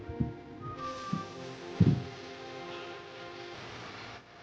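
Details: Background music with soft thumping beats and sustained tones, and no animal calls.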